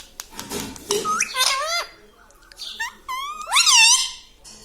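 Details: A parrot that talks, said to call papa and mummy, starts quietly with a murmur and clicks, then produces rising squeaky syllables and a loud arched cry near the end.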